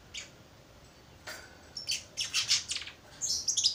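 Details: Young Baya weaver learning to sing, giving quiet short chirps that quicken into a run of buzzy, clipped notes and end in a higher wheezy trill.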